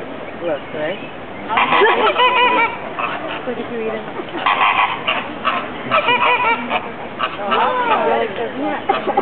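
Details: Very social flock of flamingos at the Bronx Zoo, a dense chorus of overlapping goose-like honks and nasal gabbling that surges in loud bursts, with faint human voices mixed in.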